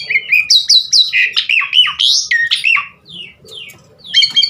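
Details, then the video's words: Javan pied starling in full varied song, a master recording to coax other starlings into song: clear whistles and buzzy sliding notes in quick sequence, a falling whistle, a short lull, then a final loud burst, with a faint low hum. "Masteran Jalak Suren GACOR Bongkar Isian Buat Pancingan Burung Jalak Agar Cepat Gacor full Isian"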